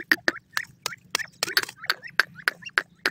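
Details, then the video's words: Grey francolin (teetar) giving sharp, loud, clipped notes repeated at a fairly steady pace of nearly two per second, each note a harsh burst, with quiet gaps and a low background hum. "partridge bird wondearfull voice,pheasant bird lovely sound"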